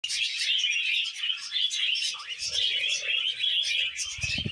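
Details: Budgerigars eating vegetables, described as happy: a continuous dense warbling chatter of high chirps and buzzy notes from several birds, with soft low thumps near the end.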